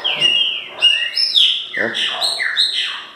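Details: Green-winged saltator singing loudly: clear, slurred whistles that drop and rise in quick succession, several short phrases within three seconds.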